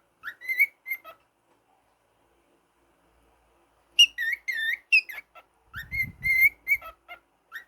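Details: Indoor pet cockatiel, male, whistling: a short run of bright notes, a pause of nearly three seconds, then a lively string of warbling, upslurred whistles and chirps, with soft rustling underneath.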